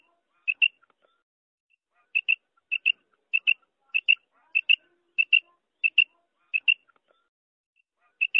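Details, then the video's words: A female common quail gives soft, high, paired notes, a quick double 'quip-quip', repeated about every half second against a quiet background; the recording is meant for morning hunting. "female batair ki awaz madi batair ki awaz"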